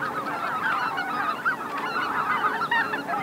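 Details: Greater white-fronted geese flying in to roost at Miyajima-numa marsh, Bibai, Hokkaido, Japan, in 2016: a dense flock chorus of overlapping nasal, yelping honks, many birds calling at once without pause.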